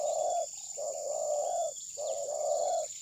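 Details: Close spotted dove cooing during bird trapping with a decoy: three drawn-out, low, hollow coo notes separated by brief gaps, over a faint high insect whine. Recorded by phone.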